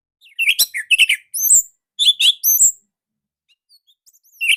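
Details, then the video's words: Orange-headed thrush giving a short, unique song type, slightly dense and loud, offered as a lure and master for young spotted birds; sharp high chirps and whistled slurs in quick bursts, then a pause before one more note. "Pancingan Bunyi Anis Merah"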